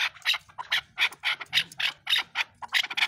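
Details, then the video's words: Chukar partridge giving loud, harsh, grating chucks in an uneven run, some notes doubled, about four a second, with faint low hum beneath. "Chakoor Bird Beautiful Sounds |چکور کی آواز"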